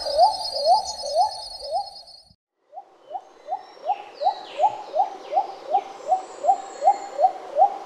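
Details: Little cuckoo-dove in forest shade repeating quick rising hoots about two and a half per second, broken by a short gap; high thin insect or bird sounds accompany it, and faint higher chirps appear behind the later notes.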